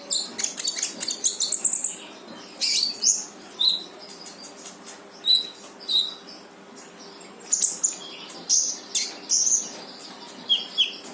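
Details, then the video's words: Brown-throated sunbird song used to prompt a silent bird into singing: rapid high twittering and chattering phrases with short sharp notes, brief bursts repeated with pauses, steady faint low hum beneath. "KONIN GACOR FULL TEMBAKAN || UNTUK MANCING KONIN MALES BUNYI LANGSUNG IKUT BUNYI"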